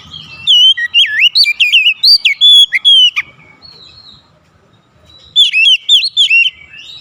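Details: Clear, loud phrase from an Oriental magpie-robin: a fast chain of curling whistles and a few held notes lasting three seconds, silence, then a second shorter twisting burst.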